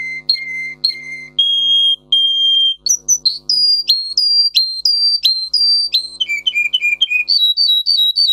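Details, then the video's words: Singing Russian canary, a bird bred for song with high tone variations: pure whistled notes, some held, others in quick repeated falling phrases, changing pitch from section to section over a faint low hum. "For training Canary singing (Russian singer canary singing) Original Song. Для обучения канареек"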